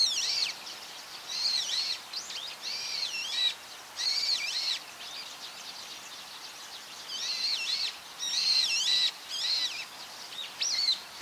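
Brown-eared bulbul giving loud, shrill, wavering squeals in bursts of about half a second to a second, repeated with short pauses over steady background hiss.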